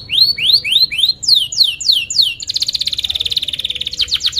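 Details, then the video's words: Canary lure song used to teach young birds to sing: a run of loud rising sweeping whistles about three per second, then a fast buzzy rolling trill of rapid repeated notes. "kenari gacor panjang Cuit Cuit EMOSI, Pancingan Kenari Paud Belajar Bunyi"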